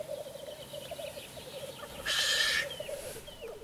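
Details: Black grouse at an evening display site, seen from a hide around 9 pm: steady low bubbling rolls throughout, cut midway by one loud, harsh, hissing sneeze-like burst lasting about half a second, with faint thin whistles after.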